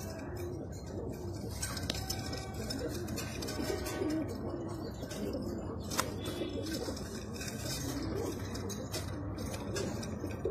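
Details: Soft, muffled cooing from a Jaafari pigeon, said to be the world's smallest pigeon kind, running continuously beneath a dense hiss with a few sharp taps.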